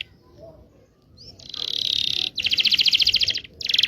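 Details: Local Indonesian canary song meant to spur young canaries to sing: after a quiet start with a faint chirp, a loud buzzy rolling trill, then a fast pulsing trill of bright notes.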